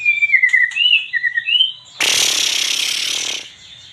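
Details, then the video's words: White-rumped shama in Aceh giving a string of fluid, swooping whistles for two seconds, then a sustained loud harsh, hissing rasp lasting about a second and a half. "MURAI BATU GACOR ACEH"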